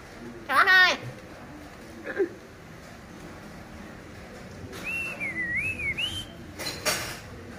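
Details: Common hill myna talking, said to call a baby's name: a short harmonic, voice-like burst, a brief second note, then a long wavering whistle rising and falling, with background music.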